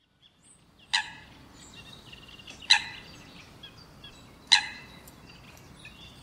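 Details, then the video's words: Eurasian coot (Fulica atra) gives three loud, sharp, explosive notes, one roughly every two seconds, with faint twittering of other small birds behind. "Лысуха, голос - Кашкалдак"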